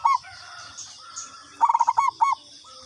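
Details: A local zebra dove lure call: a brief note, then a loud phrase of quick stuttering coos finishing with a longer rounded note, against a constant high-pitched buzz.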